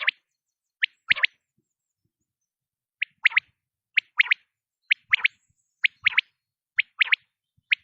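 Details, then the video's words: Quail gives short, sharp, clipped notes in quick pairs and triplets, each burst repeated roughly once a second. No other sounds stand out. "quail sounds batair ki awaz"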